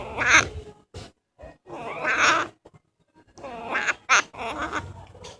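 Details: Pet parrot saying 'hola' (hello) as a greeting, with a second parrot nearby. Several short raspy, speech-like bursts: a loud first syllable, quieter mumbled sounds in the middle, then two more harsh bursts near the end.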